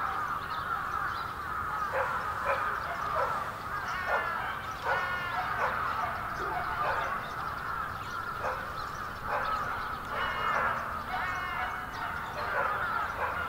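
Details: Big flock of bramblings wintering in Yoyogi Park, February 2019: continuous overlapping chatter with many clear short rising and falling call notes standing out every second or so above the crowd.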